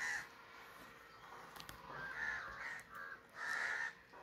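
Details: Crow calling with a short caw at the start, then a pair of rough caws and one longer drawn-out caw near the end.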